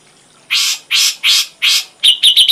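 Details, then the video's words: Ashy drongo on a complete tutor recording for songbirds: four harsh, scratchy notes about half a second apart, then a quick run of thin, bright chips. "Masteran srigunting abu abu isian lengkap"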